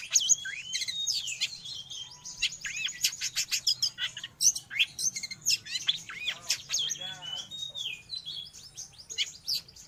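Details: Long-tailed shrike song for teaching pet birds or luring wild birds: a dense, rambling warble of high twitters, slurred whistles and scratchy notes that barely pauses.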